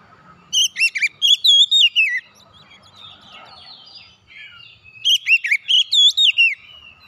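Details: Song of an oriental magpie-robin, meant to get a silent bird singing again: a rapid string of bright, wavering whistles lasting under two seconds, a pause, then a matching phrase repeated.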